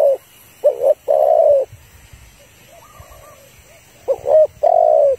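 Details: Caged female spotted dove calling to rouse a male for trapping: a double note and long coo, a quiet gap with faint distant calls, then the same double-note and long coo phrase again.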